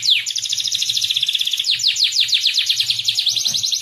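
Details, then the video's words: Songbird tutor track blending cucak jenggot, cililin and canary voices: a continuous loud run of rapid high chirps and repeated falling slurred notes, with a fast rolling rhythm throughout. "masteran cucak jenggot cililin kenari"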